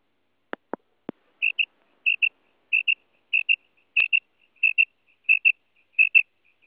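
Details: A female common quail, recorded as a hunting lure call, gives soft, high paired notes, repeated about every two-thirds of a second, after a few sharp clicks at the start.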